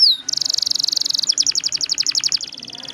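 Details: Rolling canary song played as a lure: a quick falling note, then a long fast pulsed trill that slows into distinct repeated notes and fades to a thin high buzz.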